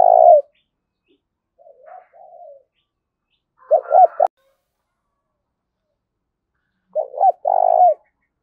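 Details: Spotted dove cooing in the thổ đồng voice style, with thúc and gáy gọi calling: low, hollow coos in short phrases, one opening the clip, a rolling burst near four seconds and a longer phrase at the end, with silence between.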